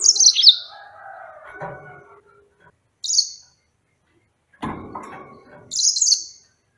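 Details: Yellow-fronted canary singing short, bright, high phrases of quick descending sweeps, two separated by a pause, with low rustling and thumping noises between them.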